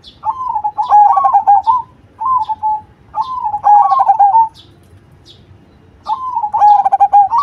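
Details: Cemani zebra dove gives loud, rolling coo phrases of uneven length, staccato at first and then smoothing out, with a long pause before the last phrase. Light high chirps come from the background.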